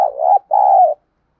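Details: Decoy spotted dove coo meant to draw wild doves into calling: a soft hooting note that dips and rises, a brief pause, then a drawn-out steady second note; nothing else audible.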